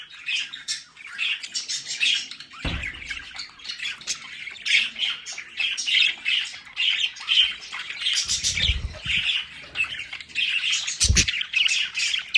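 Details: Household budgerigars in their play area keeping up a long, lively warbling chatter of rapid scratchy chirps, with a few sharp knocks and splashing sounds.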